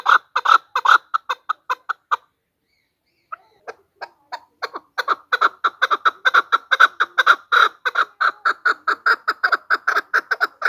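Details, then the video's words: Chukar female calling, a hunter's lure recording: fast clucking chuk-chuk notes in a burst, a pause of about a second with scattered soft notes, then a long accelerating run of harsh repeated clucks. "chakor ki awaaz | chakor voices | hunter chakor sound | Голос самка кеклика манок на Куропатка."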